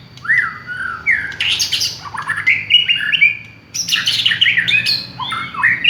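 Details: White-rumped shama, village type, singing as a lure: looping whistled phrases and harsh squawky bursts in two long runs separated by a short pause, with low background hum.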